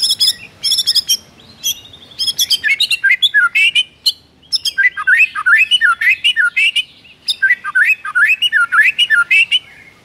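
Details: White-rumped shama singing in full voice in the morning, a rich mimicry-filled song: rapid clicks and chips, then repeated rising and falling whistled phrases at a steady pace, with short pauses between bursts.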